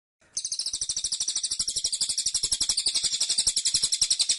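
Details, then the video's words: Caged cililin giving its dense, persistent 'tembakan' song: a fast, unbroken rattling trill of high, bright notes, about nine per second, running steadily for several seconds. "Tembakan Cililin Suara Rapat Dan Ngotot"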